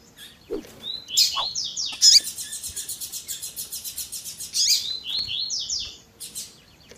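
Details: Double-collared seedeater singing tui tui zel zel with female chirps: slurred whistled notes start a long, fast buzzy trill of steadily repeated pulses, broken by another whistled run, then sharp chirps at the end.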